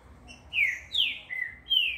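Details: Green-winged saltator, a captive-bred first-generation bird in training at a breeder, singing four loud, clear whistled notes that slide downward in quick succession.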